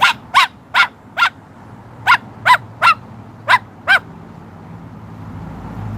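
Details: Pet Moluccan cockatoo giving its trademark bok bok call when prompted, outdoors on a patio on a Tuesday evening; nine short, loud, clucking barks in quick uneven succession over four seconds, then quiet background hum.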